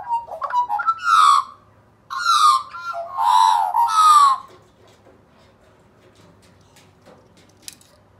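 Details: Magpie sing-off at Woronora Native Rescue between a rescued male and a local wild magpie pair. Loud, rich carolling phrases with harsh, buzzy overtones arrive in bursts over four seconds, followed by near silence.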